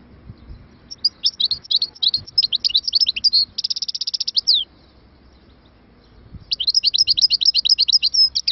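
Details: A goldfinch sings energetic twittering phrases that lead into a fast buzzing trill. After a silent gap, a renewed series of rapid, high, tinkling notes follows over faint low rumble.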